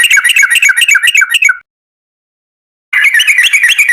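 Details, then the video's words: Yellow-vented bulbul in long rapid song, used to prompt other birds to sing: a fast, regular string of bubbly notes, a silent gap of over a second, then the chatter resumes. "TRUCUKAN GACOR Ropel Panjang Buat PANCINGAN TRUCUKAN Agar Bunyi"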